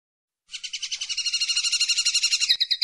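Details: Linnet song recorded in 2016: a sustained, rapid, buzzy trill of evenly pulsed twittering notes that grows louder, then breaks into separate chirps.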